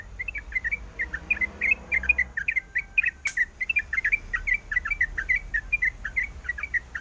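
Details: Female sooty-headed bulbul, in breeding mood, calls to the male with a continuous rattle of short whistled chirps; one sharp click cuts in midway, and a low hum fades early on.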